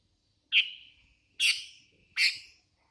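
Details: Hand-raised sooty-headed bulbul giving three sharp, bright chirped notes, each with a fading tail, spaced about eight tenths of a second apart in a quiet setting.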